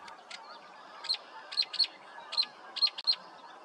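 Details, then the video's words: A Northern Mockingbird in Pennsylvania in warm spring weather goes through its repertoire, singing sharp, high, clipped phrases, each repeated in quick pairs before moving on. "A Northern Mockingbird was going through its repertoire."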